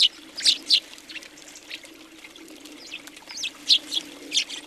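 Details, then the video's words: House sparrows gathered on a feeder in Recke, Germany, January 2020; scattered sharp chirps and short twittering notes, louder at the start and end, with a soft steady background hum. "Many sparrows on the feeder"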